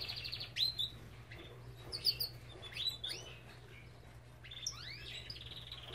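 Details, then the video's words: A Belgian canary at a breeder's aviary sings bright, high chirps and quick rising and falling whistled notes in short bursts, with a steady low electrical hum underneath. "Lindos cantos de canários!"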